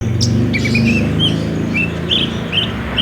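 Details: Olive-backed sunbird, a spotted 'kolibri ninja' in full song, used as a lure to prompt caged birds to sing, recorded on a Samsung J5: thin high chirps and short whistled notes in quick irregular bursts over a steady low hum.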